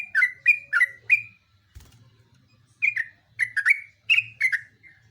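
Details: Lively Yellow-vented bulbul song: four liquid, falling chirps, a quiet gap with a soft knock, then another rapid series of six bubbly notes, over a faint hum.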